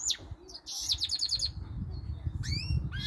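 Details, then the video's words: Male goldfinch × canary hybrid (mule), a caged bird that sings all day long and uses some canary notes: high sweeping whistles, then a rapid buzzy trill of repeated notes, then rising slurred whistles, over a steady low rumble. "goldfinch mule some canary note sings allday long"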